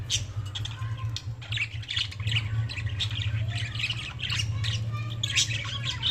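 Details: Budgies chirping and squawking in a continuous high chatter of rasping notes, with a loud low hum throughout.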